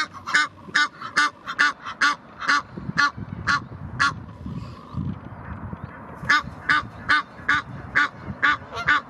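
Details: Territorial Egyptian geese, aggressive, on the Blies at Ludwigshafen am Rhein: a rapid train of harsh honks, a two-second pause filled with low rumbling noise, then the honking series resumes just as fast.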